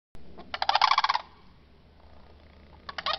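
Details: Sandhill Crane from a family visiting in the morning at a ranch in Venus, Florida, gives a loud, rolling, rattled trumpeting burst of about ten quick pulses, then a second short rattle two seconds later, quiet between them.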